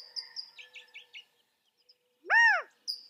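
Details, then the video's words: After a run of short, thin, high chirps from small birds, a California quail gives one loud, full, arched call that swells and drops away. "California Quail | کیلیفورنیا بٹیر | Qauil Sounds"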